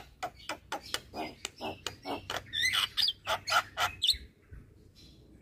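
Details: Javan myna (jalak kebo) song used as tutor material for lazy-singing birds: a run of harsh, clipped chattering notes, about four per second, with higher squeaky whistles toward the end and a brief pause.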